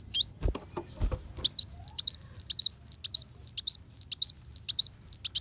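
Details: Sunbird known locally as kolibri wulung, sung as tutor material for contest white-rumped shama. A thin sustained whistle and a few clicks lead into a long, fast run of shrill, looping chirps, high and relentless.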